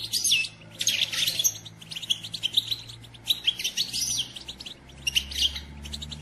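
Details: Pet female European goldfinch calling to stimulate the male to sing and grow excited: near-continuous bright high twittering and buzzy tinkling phrases, over a low mechanical hum.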